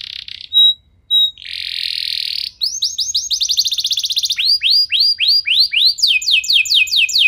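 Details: Canary singing as a trigger for other canaries. Short pure whistles and a hissing buzz give way to series of rolling downward-swept notes, each series slower and more emphatic, repeated in bursts.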